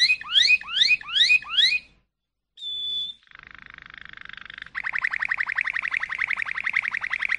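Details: Malinois canary song: four loud upward-sweeping notes, a pause, a pure held whistle, then a low buzzing roll and a fast rising rolled trill.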